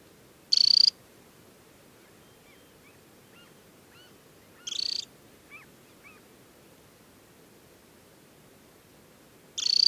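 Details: Adult summer Temminck's stint, leg-banded, at Tinnhølen lake on the Hardangervidda mountain plateau, Norway, in early July. It gives three short, high, rapid trills spaced several seconds apart, with faint soft chirps between them over a quiet background.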